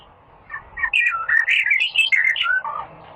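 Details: Rare songbird known as little fellow, recorded as masteran training material: a continuous run of rapid, bright chirps and short whistled slurs, roughly three to four notes a second, rising and falling in pitch.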